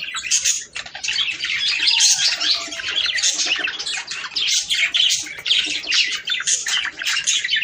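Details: Budgerigars warbling together, sound meant to stimulate breeding: a dense, continuous mesh of high chirps, squawks and scratchy trills with barely a pause across the whole stretch.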